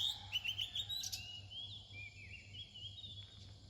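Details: Oriental magpie-robin singing near dawn: distant, thin high whistles, a few quick notes followed by long drawn-out slurred phrases, over a steady low hum of background noise.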